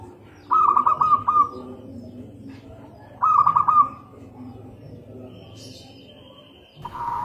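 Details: Zebra dove of a local Indonesian strain singing. Two bursts of quick, stuttering, hollow coos arrive a few seconds apart over a low background drone. A thin sustained whistle-like tone follows, then a final loud note.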